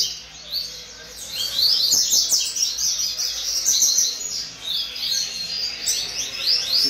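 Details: Young coleiro at a breeding aviary delivering a fast, continuous high-pitched song of rapid twittering, sliding notes, with faint clicks and low background noise.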